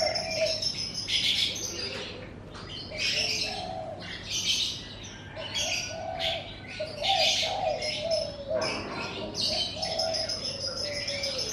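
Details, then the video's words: In front of a house in the morning, a busy chorus of birds twitters and chirps in dense bursts, joined by high, thin sustained whistles and occasional soft low cooing, over a faint hum. "Suara Kicau Burung"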